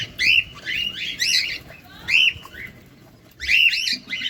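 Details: Close-up cockatiel while feeding, making three clusters of shrill, harmonic chirps spaced over a few seconds, with a quiet stretch before the last burst.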